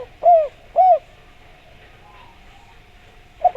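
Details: Spotted dove used as a lure for other doves: two clear, rounded, arching coos about half a second apart, then a long quiet gap and a brief soft coo at the end. A steady faint hum persists throughout.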